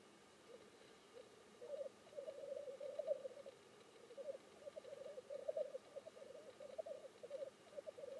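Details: Black grouse in display, producing an unbroken stream of soft, murmuring, cooing bubbles that swell and fade in a regular rolling rhythm, with no other clear sounds.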